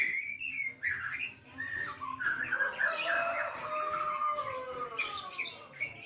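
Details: Caged white-rumped shama singing during a lockdown, with rich varied phrases of slurred whistles and harsher notes, rising and falling over a continuous babble; soft background noise.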